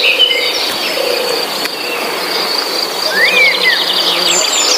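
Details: Forest birdsong in a relaxing nature soundscape: scattered short chirps, then a clear rising-and-falling whistled phrase near the end, over a steady high insect drone.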